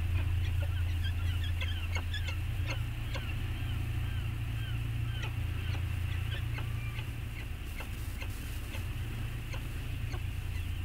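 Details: Pair of peregrine falcons returned to Anacapa, bonding, 14 August 2021, camera recording: clusters of sharp chips and short curved squeals in quick succession, over strong continuous wind noise.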